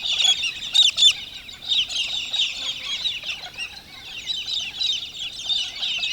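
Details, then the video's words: Galahs in Australia's eastern outback, a social parrot flying in flocks of hundreds whose chorus can be deafening as they pass through; dense overlapping harsh, high screeching calls throughout, with a few sharper notes early on. "Their chorus of calls can be deafening as they pass through."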